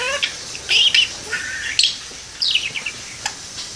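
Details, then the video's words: Pet parakeet hanging out in a window, talking and singing: scattered short chirps and rising-falling whistled notes with brief squeaky bursts, fairly sparse over a few seconds. "Cute parakeet talks and sings"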